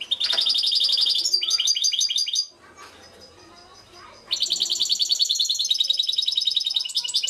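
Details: European goldfinch, listed alongside a mule (baster), from Suto Orizari: fast, dense, high twittering trills with tinkling runs. A two-second pause holds low background noise, then the rapid bright twitter resumes.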